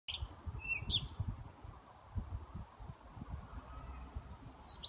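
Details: A European pied flycatcher singing at a care home in Haga, Sundsvall, Sweden, on 29 May 2018 gives a quick, high phrase of sweet chirping notes, then starts another near the end, over a steady low wind rumble.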